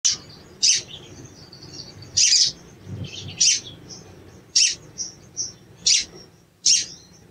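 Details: Sooty-headed Bulbul, likely a male, giving agitated sharp, high "cuit cuit" chirps, about seven short bursts at irregular intervals of roughly one second, over a faint low hum.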